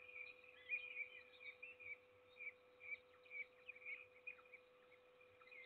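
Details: Peregrine falcon feeding its only chick in Trzebież forest district, Poland, on 7 May 2022: faint, short, high chirps and squeaks repeated about every half second against a constant humming tone.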